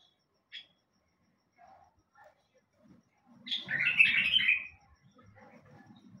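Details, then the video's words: A single high note, a pause, then a bulbul's loud bubbling warbled phrase of about a second. Low rumbling background sounds underneath. "تغريد بلبل سحاني"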